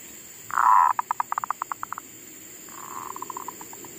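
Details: Decoy zebra dove back to singing in a garden after being upset by wild monkeys: a long low coo trailing into rapid clipped notes, then a second softer, faster rattle of coos.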